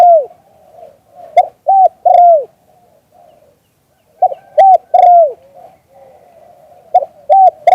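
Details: 'Liu tan' cooing of a spotted dove, recorded live: phrases of two sharp coos followed by a long loud coo sliding downward, repeated at intervals of about two to three seconds, faint murmuring between.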